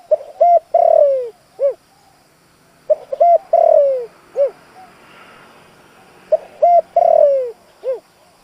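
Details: Decoy spotted dove cooing to attract wild doves: three repeated phrases, each with short clipped coos, a long slurred descending coo and a final bent note, separated by brief pauses.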